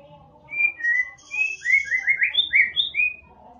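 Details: White-rumped shama song for prompting a quiet bird: a short run of clear whistled notes rising in pitch, some overlapping, with a faint hiss and low background hum.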